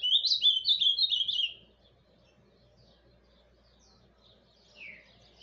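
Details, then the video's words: Ultramarine grosbeak, Paraná form, in quiet surdina song: a brief burst of quick slurred whistled notes for under two seconds, then near silence before one soft descending note near the end. "AZULÃO PARANÁ CANTO SURDINA"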